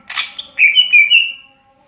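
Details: Greater green leafbird (cucak ijo) in ngeplong song: a harsh scratchy burst, then a long clear whistled phrase that wavers slightly and holds steady before fading, with no other sounds.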